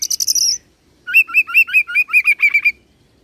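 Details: Oriental magpie-robin song in the roll style with cililin joined to serindit imitation: a short high buzzy rattle, a pause, then about ten quick upslurred whistles repeated in a fast even string.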